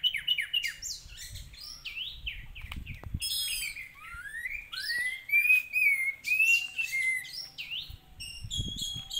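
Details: Orange-headed thrush song used as a lure to get the bird agitated and singing: varied whistled phrases, some rising, some falling, mixed with rapid high chirps and quick trills, delivered in close succession with brief pauses.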